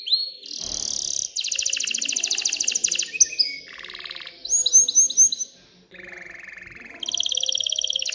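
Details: Excited canary singing to stimulate females to mate and build a nest: varied song switching between fast high buzzy trills, lower rolling trills and short repeated whistled slurs, with brief gaps between phrases.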